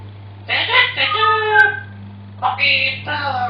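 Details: Pet African grey parrot singing: two bursts of harmonic, voice-like syllables separated by a pause of about a second, over a steady low electrical hum indoors.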